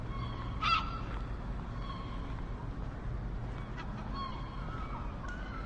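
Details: Several seagull cries, one sharp and loud near the start, then softer wailing calls, against persistent low rumbling noise.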